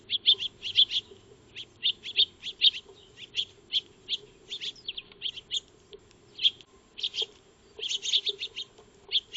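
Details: Backyard Eurasian tree sparrows (maya birds) at a feeding spot, recorded by a solar trail camera: a steady stream of sharp, high chirps, some doubled, spaced irregularly through the whole stretch.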